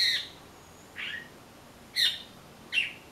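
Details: A blackbird feeding on passion fruit after failing to find ripe persimmons gives four spaced notes, harsh and buzzy, with one lower, softer slurred note among them.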